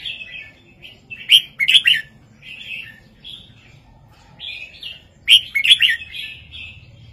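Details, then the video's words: Red-whiskered bulbul singing a southern-style 3-4-5 master song meant to liven up caged birds. Two matching sequences of bubbly whistled phrases each build to loud, sharp, chattering bursts, separated by a quiet pause. "นกกรงหัวจุกร้องแม่บทเพลงใต้ 3-4-5"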